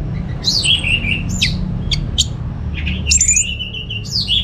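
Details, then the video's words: Caged orange-headed thrush, North Bali, singing to stimulate other birds. Separate downslurred whistles and thin high ticks, then a scratchy warbled phrase, against a constant low hum. "Suara ANIS MERAH Berkicau || Pancingan & Masteran Burung"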